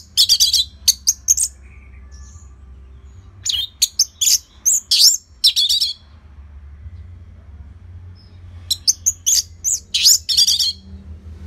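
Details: Orange-headed thrush, known locally as anis merah, singing steadily to encourage other birds. Fast strings of high, sharp chirped notes arrive in repeated bursts with brief quiet spells between them.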